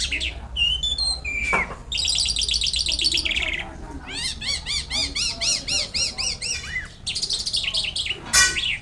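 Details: Jal lark from Pakistan singing actively: varied whistles and a sharp down-slurred note, then a long series of repeated arched chirps about four per second, ending in high chatter and a loud call.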